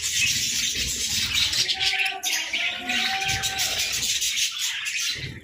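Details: Captive budgies in the morning warble and chirp densely at high pitch, with a few lower tonal notes and muffled background sounds in between.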